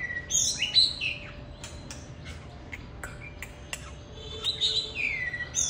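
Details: Oriental magpie-robin singing, high whistled phrases at the start and near the end, separated by quieter clicks.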